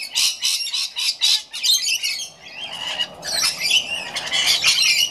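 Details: Rainbow lorikeets during an afternoon feed, several birds giving loud harsh screeching squawks in dense overlapping bursts, with a brief quieter lull near the middle.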